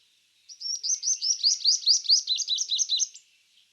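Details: Sunbird from Karnataka, India: a fast, high-pitched run of thin twittering notes, about fifteen quick syllables in under three seconds, steady in pitch and rhythm, with a quiet, clean background.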